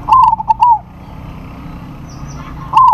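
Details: Zebra dove, a local bird, calls out to a rival, which answers. Its cooing comes as bright bubbling trills broken into quick note groups. One phrase opens the recording and another begins near the end, with a quiet pause between them.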